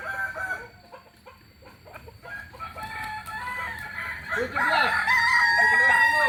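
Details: Kokok Balenggek rooster, native to Solok in West Sumatra, Indonesia: faint short notes first, then a loud multi-syllable crow of bowed, tiered notes building to the end.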